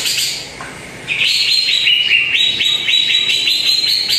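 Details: Greater green leafbird song played as a lure to coax a quiet bird into singing: rapid series of short rising whistled notes, about four per second, bright and steady.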